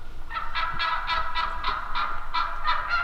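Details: A steady string of about nine hoarse yelps from wild turkeys over three seconds, each note short and evenly spaced.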